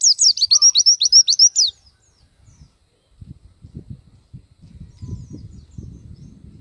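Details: Pleci, the Oriental white-eye, in energetic gacor song that displays its varied repertoire: a quick burst of about a dozen high, steeply falling notes in under two seconds, followed by quiet low rumbling.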